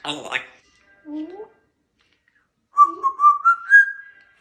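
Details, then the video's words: A male African grey parrot indoors, while his owner cooks dinner, gives a brief speech-like burst, then a short rising note and a stepped, climbing run of clear whistles. "Talking African Grey Parrot"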